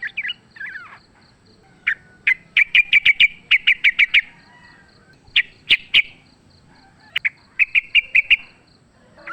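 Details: Wild sooty-headed bulbul in a fighting bout, used as a lure: bursts of rapid chattering notes repeated in short runs, with loud sharp clicks between phrases and a faint steady high buzz behind.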